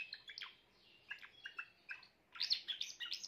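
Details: Grey Timbrado canary giving soft, scattered twittering notes at first, then a louder burst of quick rolling trills near the end.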